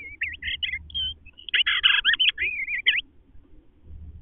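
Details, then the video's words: Eastern bluebird pair communicating around the nest, the male inside rearranging while the female waits outside; a tumbling burst of soft, wavering whistled warbles and short chattery notes over about two and a half seconds, with a low rumble beneath. "Eastern Bluebirds having a discussion"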